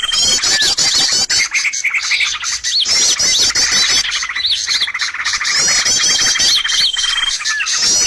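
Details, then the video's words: Bird lure sound for trapping: bursts of busy high twittering and trills alternating with brief quieter gaps, plus occasional thin sustained whistles and downslurred notes. "SUARA PIKAT BURUNG paling d cari!!"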